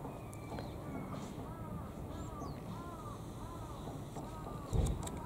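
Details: Five call ducks, seemingly hungry, wait for food before a door and give a run of loud, nasal, down-curving quacks about one every two-thirds of a second, over a low rumble and a single thump near the end.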